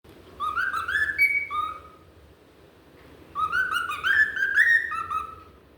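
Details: A cockatiel sings, whistling a melodic song of rising, sliding notes in two phrases.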